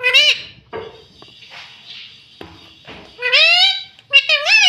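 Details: Pet rose-ringed parakeet talking, saying "mummy". Nasal, wavering, harmonic phrases open and close the passage, with quieter murmured sounds and faint background noise in between.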